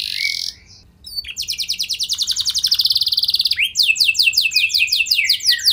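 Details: Lure song of a canary, used to prompt other canaries to respond: a short high note, a brief pause, then a long rapid trill of clipped notes, followed by a series of sweeping descending whistles repeated about three per second.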